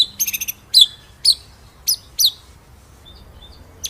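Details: White-rumped shama master song for training birds, heard as a few short sharp high notes with brief buzzy bursts, then quiet.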